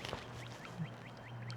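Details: On a slow river during a kayak trip, a Red-winged Blackbird flies across calling, a quick run of short, upslurred call notes about five a second, over a steady low hum.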